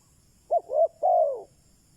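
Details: Decoy spotted dove calling to draw in wild doves: one phrase of two clipped hooting notes followed by a drawn-out, gently falling coo, clear against a quiet background.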